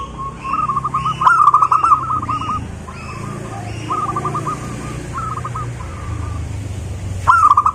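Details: Local wild zebra dove repeating phrases of quick rolling coos over steady background hiss, with a higher chirping bird calling between phrases and a loud coo burst near the end.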